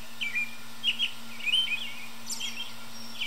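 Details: American robin singing early in the evening from high in a tree: short warbled phrases, repeated rapidly and fairly faint, over a steady low hum and background noise.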